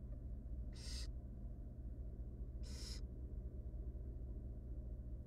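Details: Hungry barn owl chicks, three tiny wild nestlings in a monitored nest box, beg as their mother feeds them: two loud, rasping hiss-screeches about two seconds apart against a steady low drone.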